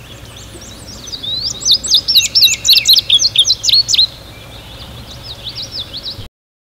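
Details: An adult male Indigo Bunting setting up territory in early spring in New Jersey sings a high, bright three-second run of quick sweeping notes, some in pairs, then trails off into softer chips over a faint low hum.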